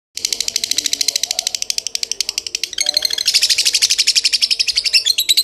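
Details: Lovebird in the Kebon Kopi singing style: a long, fast chatter of sharp, high chirps at about eight per second, growing louder and denser midway, with a faint low hum beneath.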